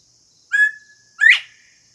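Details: A wild male Northern bobwhite, a wandering bird that showed up at a house in summer, whistles its clear two-part song: a held, level note, then a louder note rising sharply at the end, over a steady high hiss.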